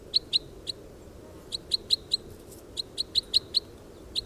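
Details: Wild Red Crossbill calling: loud, clipped chip notes in irregular bursts of two to five, with brief pauses between groups, set against faint low rumbling background noise.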